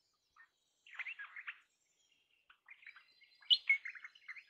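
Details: Crimson rosella heard at a distance in two bouts of soft, scratchy chattering notes, the second bout holding one brighter, sharper squeak.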